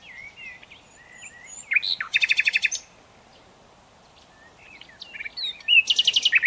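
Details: Nightingale song with two phrases, each starting with thin slurred whistles and rising into a loud, fast rattle of repeated notes, separated by about two seconds of near silence.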